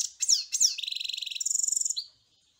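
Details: Goldfinch in song: two sharp descending chirps, then a lower buzzing trill followed by a higher rapid tinkling trill and a brief closing twitter.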